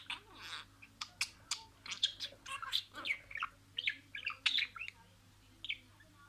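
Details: Pet budgerigar chattering imitated words: a long, lively stream of rapid scratchy syllables, clicks and squeaky whistled notes, loud and almost continuous for six seconds over a faint hum.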